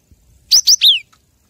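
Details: Cinereous tit master recording for training captive songbirds: a loud, clean phrase of two short rising high notes followed by a longer downslurred whistle, all within half a second.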